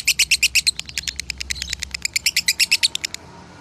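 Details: Konslet-style lovebird song from a Salatiga farm, recorded as masteran: bright, shrill chattering notes in a quick irregular series, loudest at the start, fading out after three seconds into quiet.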